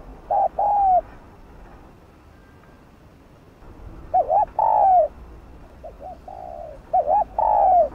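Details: Spotted dove from the Vietnamese countryside, cooing to draw in wild doves: a hooked double coo followed by a long sliding note, sounded three times with a quiet gap in the middle and softer answering coos.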